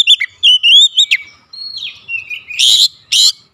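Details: Varied oriental magpie-robin song played to provoke other magpie-robins: warbled whistles and a long level note, then two loud harsh grating bursts near the end.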